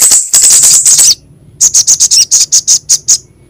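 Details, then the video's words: A lure recording of little spiderhunter (sogok ontong) and kemade opens with a blurred, dense burst of high chatter, falls quiet, then gives a steady series of about eleven sharp high chips. "PANCINGAN SUARA SOGOK ONTONG & KEMADE GACOR"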